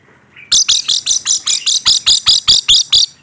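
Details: Rainbow lorikeet letting off a rapid run of about a dozen shrill, buzzy screeches, each evenly spaced roughly a quarter second apart, loud and high-pitched throughout.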